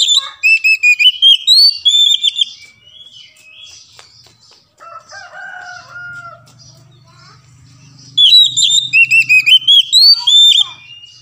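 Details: Oriental magpie-robin song meant to prompt silent birds to sing: an opening stream of sharp, sliding whistles, a softer middle stretch of lower warbled notes over a faint hum, then another loud whistled burst.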